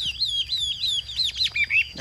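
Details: Chinese hwamei kept as a cage bird in Vietnam, ngũ trường song: a rapid run of high, wavering, rising-and-falling whistles ending in a few swooping notes.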